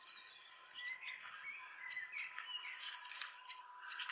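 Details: In spring in a garage at Kapiti, New Zealand, a family of 5-6 nesting Welcome swallows gives quick, high twittering chirps and short squeaky notes in steady chatter, disapproving of a person approaching, over a faint constant hum.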